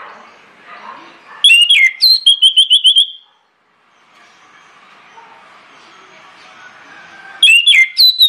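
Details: Persistent, loud orange-headed thrush lure song to get other birds singing: a phrase of dropping whistles and rapid repeated clipped notes, a long quieter stretch with soft background warbling, then another whistled phrase beginning.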